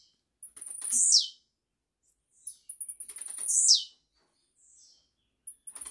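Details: Caged blue-black grassquit recorded live as a tutor song for chicks, giving repeated high buzzy phrases that open with quick ticks and end in a loud downward-sweeping rasp, two phrases about every three seconds.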